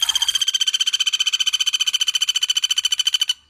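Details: Cililin and Common Flameback (pelatuk bawang) in a close 'tembakan' duel, used as a masteran song-training recording for songbirds: a rapid, even trill of sharp notes at a steady mid-high pitch, about fifteen per second, ending abruptly.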